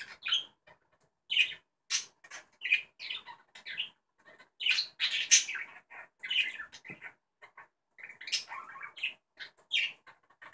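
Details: Caged budgerigars playing chatter in quick, squawky bursts of high chirps and warbles, broken by short pauses.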